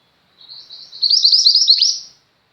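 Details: Single continuous phrase by a chatty female Mountain White-eye, meant for training pet white-eyes: faint high warbling builds into a loud, fast string of bright twittered notes, ending on a steeply falling chip.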